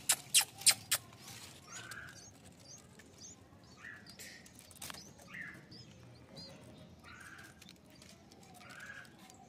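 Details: A baby bulbul feeding eagerly on musk melon gives soft, short squeaky chirps at irregular intervals, a few each second, after several sharp tapping clicks at the start.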